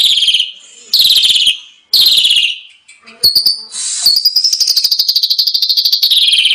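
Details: Asian pied starling song from a masteran training recording full of rich fill-ins: bright whistled notes sliding downward, short bursts, then a long run of rapid buzzy, ticking notes.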